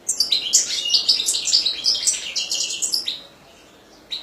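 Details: Dense, continuous European goldfinch song of rapid, high-pitched tinkling twitters and buzzy chatter for about three seconds, then quiet with a final note.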